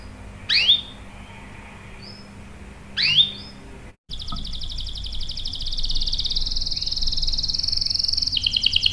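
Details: Canary used to lure other canaries into singing: two sharp falling chirps, a brief cut, then a long, even, buzzy roll rising in strength to the end.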